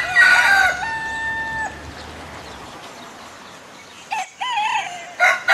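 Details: A rooster crows in Southwest Asia: a loud opening note drops into a level drawn-out tail. After a long hush, two shorter crows with a rising-falling note follow.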